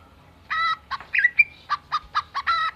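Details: Greater green leafbird mimicking a chicken; a drawn cluck, then a run of short clucking notes and a brief whistled slide, ending with a longer harsh cluck.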